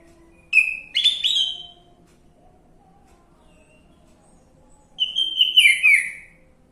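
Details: Orange-headed thrush singing, a lure for coaxing a quiet bird into song: a short burst of sharp whistled notes, then a pause of about three seconds before a warbled, descending phrase, over a faint low hum.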